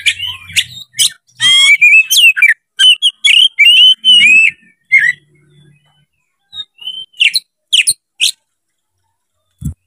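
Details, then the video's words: Kacer (Oriental magpie-robin) displaying with an open tail, calling out a rival: a dense burst of loud whistles, trills and slurred notes, then scattered sharp single notes after a short silence. "MENCARI LAWAN TARUNG KACER CEPAT GACOR DALAM HITUNGAN MENIT DIPANCING KACER BUKA EKOR INI"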